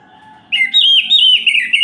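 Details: Orange-headed thrush singing at night, a song meant to provoke other males: a single continuous, clear, wavering warble starting abruptly after silence, with a low steady hum in the background.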